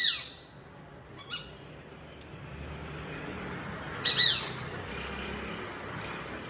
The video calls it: Peregrine FALCON making angry sound